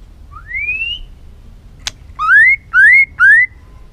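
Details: A fired-up white-rumped shama, sung to provoke other shamas, gives one long rising whistle, a sharp click, then three loud upslurred whistles about half a second apart against faint background hiss.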